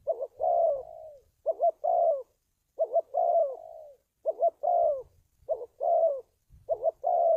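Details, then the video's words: Cooing of a spotted dove used as lure audio for trapping and decoy training; about six phrases of a brisk two-part warble followed by a drawn, sliding-down coo, with short silent gaps and faint low thumps. "tiếng chim cu gáy luyện mồi kích bổi"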